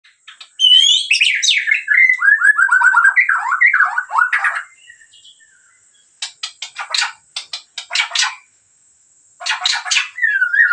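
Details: White-rumped shama of the Medan type singing vigorously: loud, clear whistled phrases that slide downward in a cascading series, then bursts of dry, rapid clicking notes, with a steady high electronic whine throughout.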